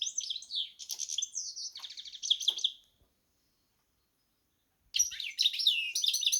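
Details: Hybrid of goldfinch and canary singing two bursts of fast, jangling twitter with trilled phrases, separated by roughly two seconds of silence.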